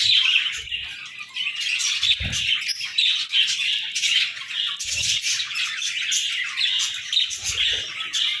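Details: Morning chirping from budgerigars, a continuous high warbling chatter with repeated short chirps from several birds and occasional low thuds.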